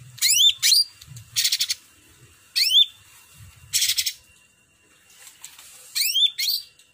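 Cucak ranting song: quick upslurred whistled sweeps alternate with dense buzzy, rattling bursts, phrases recurring every second or so over a faint low hum.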